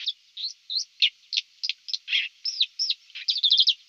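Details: White-throated dipper singing a rapid, varied warble of high whistled slurs, rising and falling notes and scratchy buzzes, ending in a quick chattering trill; clean with no background noise.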